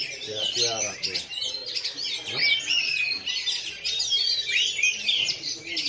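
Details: Caged black Oriental magpie-robin with a bowing display style at a bird-singing practice contest in Lhokseumawe, 9 January 2022; rapid, shrill whistled and trilled phrases blend with other singing birds, while people talk at moments.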